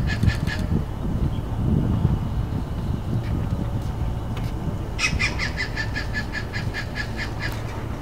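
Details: Stork-billed Kingfisher calling over the Sungei Tampine, Pasir Ris Park mangroves, Singapore: brief, harsh cackling bursts, then a quick series of about eight grating notes near the end, over steady low rumbling background noise.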